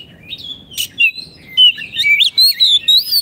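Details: Oriental magpie-robin in captivity, singing for training caged birds that stopped singing: a long whistled note, a harsh burst, then a fast warbling string of sliding whistles about two per second.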